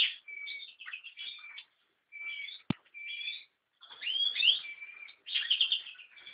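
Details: American goldfinch singing a varied, fast sequence of sweet whistled notes, twitters and buzzy slurs, broken by pauses, with one sharp click partway through.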